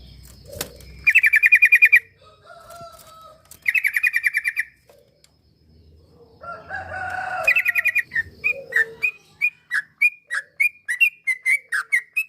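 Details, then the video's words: Sooty-headed bulbul song meant to stir a quiet bird into singing: three fast rattling bursts of chirps, then a long steady series of short bubbly notes roughly twice a second, with faint tonal background sounds. "Pancingan burung trucuk yang malas bunyi"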